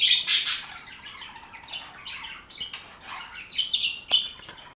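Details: Continuous budgerigar flock chatter: a steady stream of high warbling, squeaky and buzzy notes overlapping throughout, louder at the start, with a sharp click near the end.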